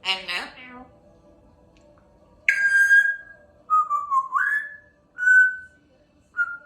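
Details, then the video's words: Female pet African grey parrot indoors, chatty and practising words and tunes like I love you, the Star Wars theme and Apples and Bananas; a brief harmonic voice-like burst, then clear whistled notes: one long level tone, a wavering rising whistle, two short whistles. "African Grey Parrot hard at work practising her words"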